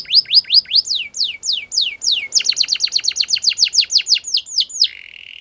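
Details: Spanish Timbrado canary song made of rapid rising whistled sweeps repeated steadily, speeding up into a fast, tight run of notes before ending on a level held trill.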